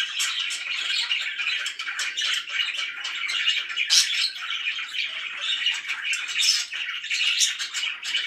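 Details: Several happy pet budgies keep up a busy, unbroken chatter of twittering chirps and sharp squeaks, some bright notes standing out above the steady warble.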